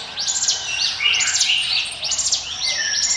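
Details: Hill prinia song for luring birds: quick clusters of high upslurred 'ngiwit' notes, three bursts in a few seconds, with a softer lower trill between.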